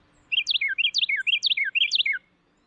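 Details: Carolina wren song, eastern United States, wooded backyards: a loud, rolling phrase of bright, slurred whistled notes, repeated four times in about two seconds, like 'tea-kettle', a song lasting about two seconds. No other sounds.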